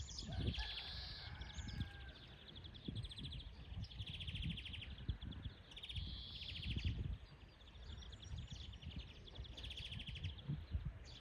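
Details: Wild European greenfinch singing in nature: rapid buzzy trills and twittering rattles in repeated phrases about two seconds long, with a drawn-out wheezy note, over steady low background rumble.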